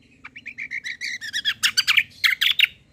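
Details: White-eye (kecial) song used as a lure to make other birds answer: a fast string of sharp, high chirps that starts thin and grows louder, denser and buzzier toward the end, with a faint low hum underneath.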